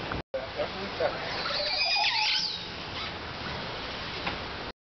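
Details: A Montezuma oropendola at its nest in Tortuguero, Costa Rica, in March 2019, gives liquid gurgling notes and a burst of high, sweeping whistles midway, over steady broadband hiss and faint voices.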